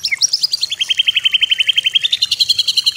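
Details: White-rumped shama training song: a high piping trill of evenly repeated short notes, about seven per second, stepping slightly upward and holding steady.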